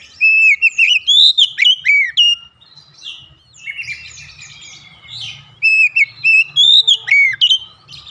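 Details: Kacer, the oriental magpie-robin, delivering a rhythmic calling song: bursts of rapid, loud whistled notes with rising and falling slides, separated by a softer scratchy warbling passage in the middle.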